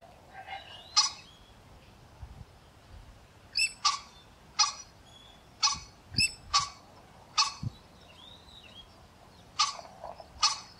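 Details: A female common pheasant replies to a male with sharp, harsh, clipped notes, about a dozen in ten seconds, often in quick pairs, with a faint whistled note in the background.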